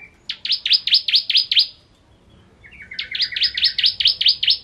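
Bar-winged prinia singing rapid runs of sharp, high, down-slurred notes, about six in a quick burst, then a pause and a second burst opening with lower stepped notes.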